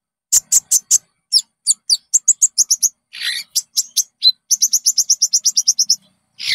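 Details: Konin song used as a lure to train caged birds to sing and show off their repertoire: rapid series of high, sharp chirped notes in quick bursts, with a brief harsh buzzy note midway.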